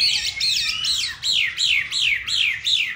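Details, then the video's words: Chinese hwamei in Hanoi with a fine voice repeats a loud whistled phrase about twice per second, each a looping note sliding steeply downward, six times in a row. "Mi đẹp vn9966. Giọng hay"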